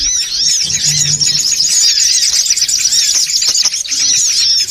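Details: Crowded songon otong chatter for luring birds: an unbroken mass of high, rapid twittering calls, with a low hum early on.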